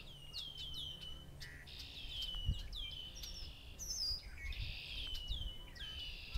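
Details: On open farm fields in Massachusetts, red-winged blackbirds sing amid a mixed bird chorus: quick falling whistled notes alternate with drawn-out buzzy trills, and a high thin note cuts in midway.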